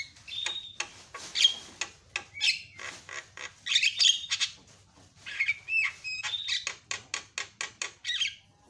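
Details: Loud Javan myna calling to make other mynas shriek back; dense chatter of harsh squawks and clear whistled notes, closing with a regular string of short sharp calls.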